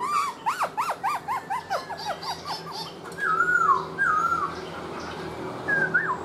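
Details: Black-throated laughingthrush, a kept bird, singing in its dancing display with tail fanned out: fast sharp up-and-down whistles, then drawn-out wavering whistled phrases and a final rising note.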